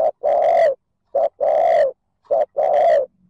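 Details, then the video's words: Spotted dove giving its 'thúc gù' coo to stir wild birds into calling back: three evenly spaced two-part phrases, a brief note then a sustained, resonant low coo, about one phrase per second and a quarter, clean background. "TIẾNG CHIM CU GÁY THÚC GÙ KÍCH BỔI NHANH NỔI CỰC SUNG, MỒI NGHE LÀ GÁY"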